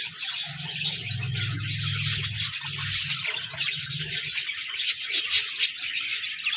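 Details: Budgerigar chatter made of steady, overlapping high chirps and warbles, above a low humming drone in the first half.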